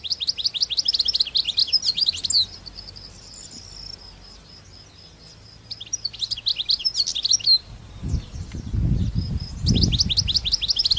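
European Goldfinch song: bright, tinkling twitters in quick bursts of two or three seconds, with a thin held note between phrases; a low rumble of wind or handling noise near the end.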